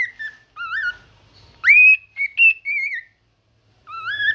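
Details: Cockatiel kept as a pet sings in the morning: wavering mid-pitched whistles, then a loud upward-sweeping whistle followed by a few warbled notes, a short silence, and another rising warble.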